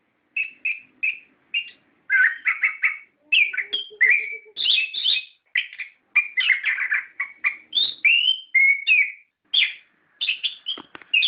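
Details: Long, nonstop gacor song of an orange-headed thrush, used as a lure for captive birds: rapid chains of varied whistles, trills and slurred notes that change pitch constantly, with a faint low hum in places.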